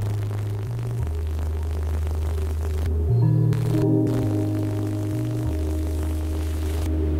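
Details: Droning electronic music with stepped low bass notes and a steady hum, without any animal voice.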